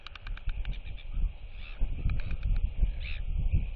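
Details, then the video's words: Neighbouring royal albatrosses clack at a young displaying bird near two chicks: quick runs of sharp, rattling clicks and a couple of hoarse calls, set against steady roaring wind. "Royal Albatross ~ NTF Follows SSTrig's Footsteps & Displays & Whistles to UQ & Quarry Chicks!"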